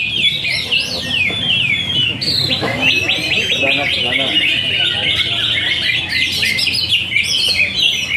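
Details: Greater green leafbird, a caged competition bird that took first place in two seasons, singing a dense run of varied whistled and chattering phrases, rising and falling without pause, over crowd murmur and background noise.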